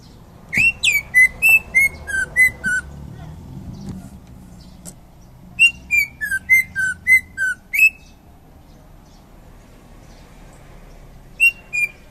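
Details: A champion greater green leafbird from Indonesia sings three bouts of rapid whistled notes, each bout of six to eight slurred whistles descending slightly, separated by quiet gaps.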